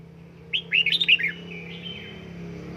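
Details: Red-whiskered bulbul kept and trained at home for fired-up 'căng lửa' singing; one quick warbled phrase of five or six bright, slurred notes, rising then falling, followed by a fainter drawn-out whistle over a low steady hum.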